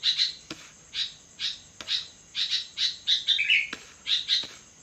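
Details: Sooty-headed bulbul singing vigorously at midnight: short bright chirped notes near the same high pitch, spaced about half a second apart, with one lower slurred phrase near the end and faint clicks between.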